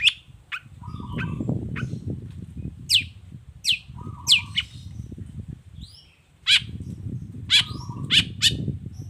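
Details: Long-tailed shrike lure song, "gacor toet toet" style, played to make other shrikes respond: sharp descending notes spaced about a second apart with short low flat whistles, over a steady low rumbling background noise.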